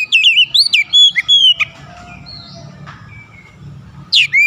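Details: Oriental magpie-robin singing a rapid run of bright, looping whistled notes for about a second and a half, then quiet with faint distant chirps, ending with a sudden loud whistled phrase.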